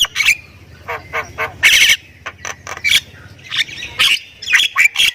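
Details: Thai-type Javan myna in full-fill song: irregular harsh squawks and one broad rasping burst, separated by quieter gaps with soft low background noise, closing with clustered chattering notes.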